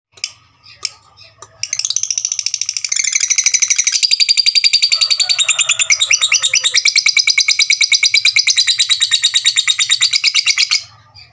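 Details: Caged fighter lovebird giving a long ngekek trill, used to provoke rival birds' emotions; a few scattered chirps, then a sustained rapid buzzy chattering trill of fast even pulses lasting about nine seconds before stopping abruptly.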